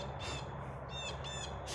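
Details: A Blue Jay at a backyard feeder stocked with peanuts and sunflower seeds gives three or four harsh, squawking notes in under two seconds. A steady low outdoor hum runs beneath. It is Tuesday afternoon, about 50 degrees, after a full day of rain the day before.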